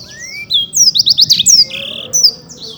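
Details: Black-throated canary, a champion bird, with a rising thin whistle followed by a quick series of bright descending chirps and a short buzzy note.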